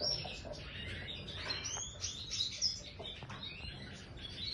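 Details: Aviary-kept goldfinch of the Major form giving bright, chattering phrases with quick rising and falling chirps and a few clear whistled notes, against low background noise.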